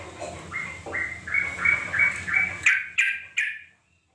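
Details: Sooty-headed bulbul lure call meant to draw other bulbuls into calling back: a run of short, clear mid-pitched notes, about three per second, ending in three sharper, louder notes before silence, in a small indoor-sounding space.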